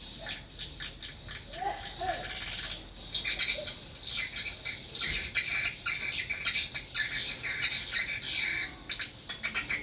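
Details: Swiftlet lure sound at a small swiftlet house: dense, rapid high-pitched chirps and twitters overlapping without pause, with a faint low rumble underneath.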